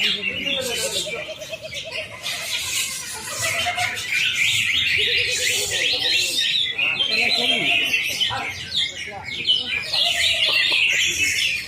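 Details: Greater green leafbird in a simulated singing contest: a dense, rapid stream of high chattering and twittering notes, with lower whistled trills from other singers underneath.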